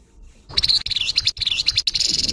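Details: Grey-headed babbler chattering harshly, after a quiet start a scratchy, uneven stream of high grating notes with small pitch wobbles, split into three quick bursts by short gaps.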